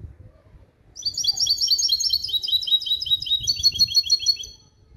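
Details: Clean limpio-style song from a captive male goldfinch × female canary hybrid: rapid, tinkling high notes in a dense, twittering run lasting over three seconds, clear against a quiet background.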